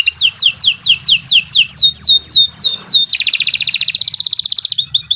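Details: Canary singing at length for use as a lure to train other birds: rolling descending whistled slurs repeated about four a second, switching to a dense, buzzy high trill and a final few chirps, with faint low hum.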